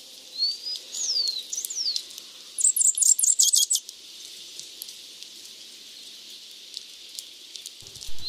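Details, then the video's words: A slaty flowerpiercer (Diglossa plumbea) sings a few thin, very high sliding whistles, then a quick burst of high twittering lasting about a second, over faint background hiss. "O canto do Perfurador de flores xistoso"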